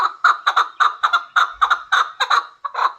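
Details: Hybrid chukar partridge calling loud, rhythmic chuck notes, often paired, repeated nearly twice a second in a steady run over three seconds.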